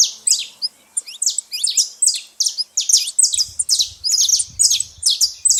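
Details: Loud saffron finch chatter at a feeding spot: strong, high chirps sweeping downward in quick succession, overlapping one another, joined by a low rumble in the second half.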